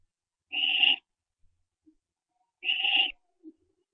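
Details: Barn owl owlets during branching, recorded at 4:07 AM on 15 September 2011; two loud raspy hissing screeches about two seconds apart, each half a second long, with faint clicks after.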